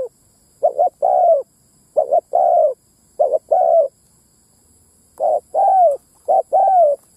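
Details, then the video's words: Spotted dove ground lure call used to attract wild males and females: soft mellow coos in phrases of two short notes and a longer falling coo, repeated five times with pauses, over a faint steady high hiss. "Tiếng mồi đất rút bổi cu bổi mái"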